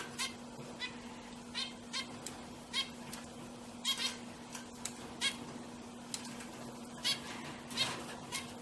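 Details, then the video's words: Pet zebra finches, more than one bird, giving quick, bright, nasal toots, often in pairs or short runs, spaced unevenly across the stretch, with a constant low mechanical hum beneath. "My Cute Zebra Finchs Singing"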